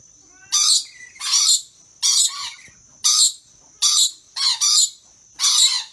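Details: A pair of excited, playful rainbow lorikeets dancing and squawking: harsh, high-pitched broadband screeches, about seven bursts in six seconds, each roughly a third of a second long, with a faint steady high tone in the background.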